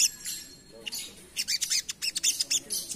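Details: Little spiderhunter singing in the rapid ngerap style, used as a lure: bursts of very high, fast buzzy chips that start faint, then grow into a loud, quick stuttering run near the end.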